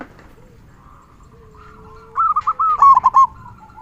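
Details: Local zebra dove singing the big 'kung' song meant to tutor silent or stressed doves. After a quiet start, a sharp run of about eight fast, bubbling coo notes rises and ends.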